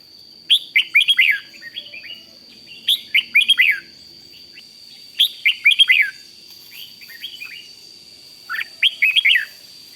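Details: {'caption': 'Red-whiskered bulbul singing in the Thai rik style, meant to stir other bulbuls into excitement: four bursts of quick, bubbling, slurred whistled notes roughly every two to three seconds, over a steady faint high electronic whine.'}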